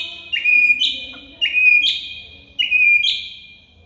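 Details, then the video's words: Master recording of White-rumped shama song: three identical loud whistled phrases about a second apart, each a steady whistle breaking into a sharp higher flourish, fading between repeats. "MASTERAN MURAI BATU"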